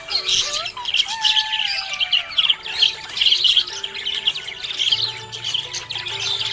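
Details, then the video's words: Cheerful budgerigar chirps: bright rapid twitters and warbles in quick bursts, with some sliding whistled notes early and steady tonal background sounds, including a low hum near the end. "Happy budgie chirping sound"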